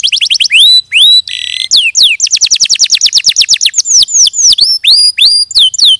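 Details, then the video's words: Canary song mixing rich swooping whistles, a short harsh buzzy note, and a fast rolling trill of repeated sharp notes, followed by more slurred whistles. "Suara Burung Kenari"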